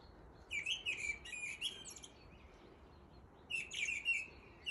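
A mistle thrush sings two short, loud phrases of fluty whistles mixed with scratchy notes, split by a pause of over a second. Faint background hiss.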